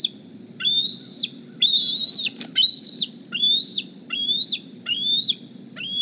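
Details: Decorah bald eaglet hatched in 2020, begging on the nest in the morning: seven loud, piercing whistled squees, one longer and harsher, each rising steadily before cutting downward, spaced under a second apart.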